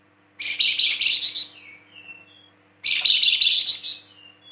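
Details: Caged flamboyan in lively, full song: two bursts of dense, buzzy chattering notes high in pitch, each about a second long, trailing into faint thin whistles, quiet in between.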